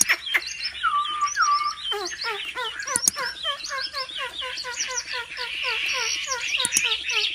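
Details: Chinese hwamei trained at home for singing contests: two long, level whistles, then a rapid string of repeated looping notes mixed with sharp clicks and rising chirps.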